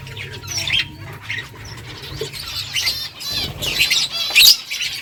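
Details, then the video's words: Finches eating and chirping: bursts of high, buzzy twitters and short chirps come in clusters, with a loud chirp near the end and wing or pecking noise. "Beautiful finches eating food birds chirping sounds"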